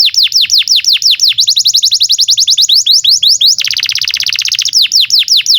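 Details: Canary song, a long continuous training recording for young or silent birds: rapid repeated downslurred whistles, a buzzy fast trill of dense notes near the middle, then more descending whistled phrases.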